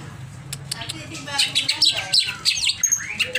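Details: Greater green leafbird kept as a cage bird, over-excited, giving clicking chips followed by a busy run of high squeaky, slurred notes and a final rising whistle; faint low hum behind.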